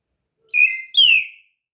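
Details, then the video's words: Pet female myna, hand-raised from a fallen chick, speaks Malayalam phrases. Here she says a clear two-syllable word in a bright, whistled voice, the second syllable sliding downward. "talking bird"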